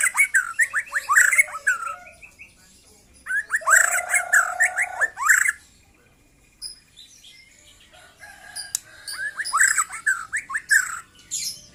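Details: Young white-rumped shama, newly free of its juvenile speckles, sings dense chattering whistles with rasping edges. A lower buzzy trill joins the middle phrase, and a long quiet stretch precedes the final burst.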